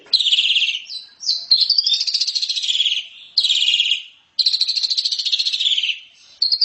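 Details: Asian pied starling chattering song, called loud and open, used for training: long rasping, trilled phrases with quick pulses, a short whistled slide between them, and gaps of silence.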